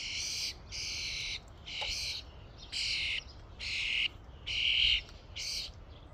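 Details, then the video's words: Common starlings massed at a feeding station utter roughly seven hoarse, buzzy squawks in a regular series, each about half a second, the later ones louder and carrying a faint whistled tone. "Starlings invasion at the feeding station | Staren Invasion an der Futterstation"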